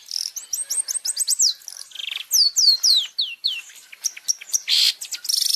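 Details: Long-tailed shrike song with varied fill-in phrases, meant to train caged birds: quick runs of bright down-slurred whistles, loud swooping notes, scattered sharp chips and a short harsh rasp near the end.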